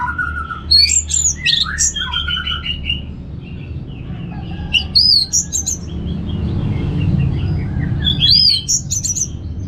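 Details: Caged orange-headed thrush from northern Bali in varied song: bursts of high squeaky whistles, trills and sharp notes separated by pauses, with a low background rumble throughout.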